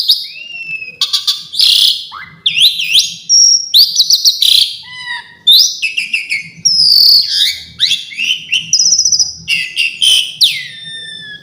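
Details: Long, richly varied phrases from an Asian pied starling, its song full of fill-in variations: rapid whistles, sharp clicks, rising and falling slurs and harsh buzzy notes packed densely together.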